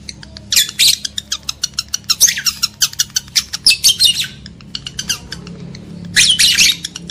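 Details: Lovebirds, recorded to trigger mating drive in males and females: a fast steady train of sharp, rasping chirps, several per second, broken by louder buzzy screeches, with a low indoor hum underneath.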